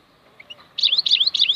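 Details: Wild European goldfinch song: two soft high notes, then a loud, liquid phrase of rising-and-falling twittered notes repeated three times in quick succession.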